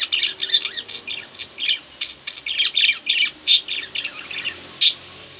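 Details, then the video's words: Pet budgies chirping and chattering in a room, a string of short scratchy notes with two piercing high squeaks rising above the steady twittering. "Budgie Birds Extravaganza-Relax With My Budgies"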